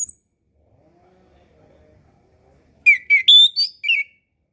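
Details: Orange-headed thrush master song for birds learning to sing or reluctant after moulting: near silence with a faint low hum, then a rapid run of stepped, bright whistled notes.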